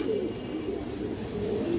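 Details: Several caged pigeons of fancy breeds kept for sale in Jatrabari give soft, low cooing; short gurgling notes drift in and out over a steady background murmur.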